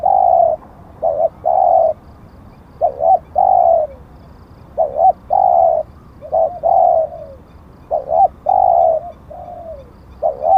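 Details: Decoy spotted dove calling in a continuous series: a brief two-part coo, a long even hoot, then a downward-trailing note, the pattern cycling about four times.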